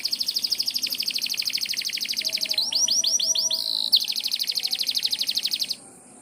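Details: Canary singing at morning, said to summon rain: rapid high trill, then five or six looping downslurred whistles, then more fast buzzy trilling before stopping abruptly.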